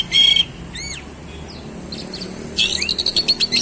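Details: Oriental magpie-robin singing very actively in fast rolling style, showing its song fillers: loud harsh buzzy bursts with a steady whistle inside, a pair of quick rising and falling whistled notes, and then a run of rapid stuttered chattering notes.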